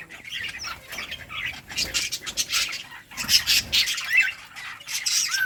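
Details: Budgerigars in a breeding colony, playing and chirping: dense bursts of scratchy, high chirps and squawks tumbling over one another, with soft fluttering between calls.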